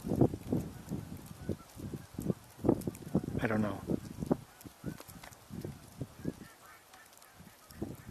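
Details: Many Canada geese honk in rapid, overlapping calls, one louder nasal honk standing out, under a man's voice, on 30 December 2023 in light precipitation with poor visibility.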